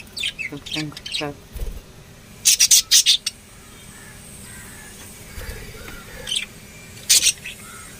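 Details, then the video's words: Lovebirds giving rapid high chirps and harsh squeaky bursts in groups, separated by quieter pauses, with some faint lower background sound. "love birds singing sounds"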